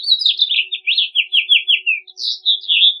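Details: House finch song, a continuous three-second run of rapid slurred notes that rise and fall in a lively warble, with a brief gap before a final burst of higher notes.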